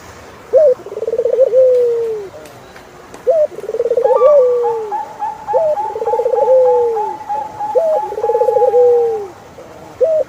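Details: Turtle dove repeating its song about every two and a half seconds: hooked note, bubbling trill and long falling coo, four phrases in all. A higher, evenly pulsed whistled series joins midway.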